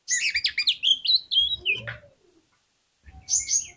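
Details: Oriental magpie-robin song used as a lure to provoke other magpie-robins into singing: a rapid burst of varied high chirps and whistles sliding downward, ending in a drawn-out falling note, then a brief second phrase after a pause.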